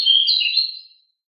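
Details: Pied bushchat (decu) in rolling, noisy, agile singing: one brief bright warbled phrase, two close whistled notes sliding together and fading within a second, with no other sounds.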